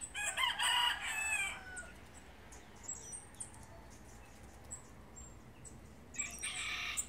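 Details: Canary trained in a silvery whistled cut opening with a loud buzzy, rolling trill, then sparse faint high notes before another harsh rapid burst at the close, with low room noise throughout.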